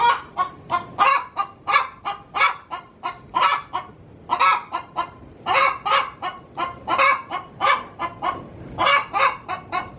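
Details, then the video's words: Hen calling in her coop just before laying an egg, a sustained run of raspy clucks, roughly two to three per second, with occasional louder squawks. "Suara asli ayam betina cocok untuk digunakan memanggil ayam hutan"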